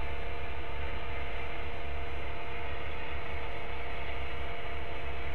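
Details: Loud constant electrical hum and static with steady tonal lines; no animal sounds.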